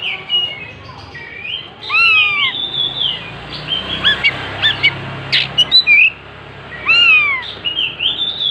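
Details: Oriental magpie-robin in full song as it spreads its tail, giving clear looping whistles and rising-falling slurs with quick scratchy notes, phrases separated by brief pauses, over a low steady background hum.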